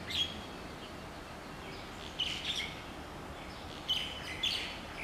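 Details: Wild Hawaiian chickens, a hen uncovering her chicks, with scattered high, sharp peeps coming singly and in small clusters between quiet gaps against faint outdoor background noise.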